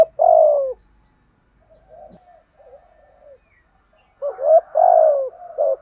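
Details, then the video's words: Vietnamese decoy spotted dove calling to draw in wild birds: a strong, deep falling coo at the start, a stretch of faint soft cooing, then a loud clipped note, a long descending coo and a final short note. "Tiếng chim cu gáy mồi bài bản gù thúc. kích bổi là gáy"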